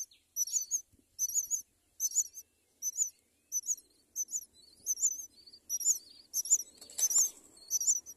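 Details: Myna parent at a nest raising four young gives shrill, high, harsh chirps in short bursts, about a dozen at a brisk, uneven pace, with faint low rustling behind.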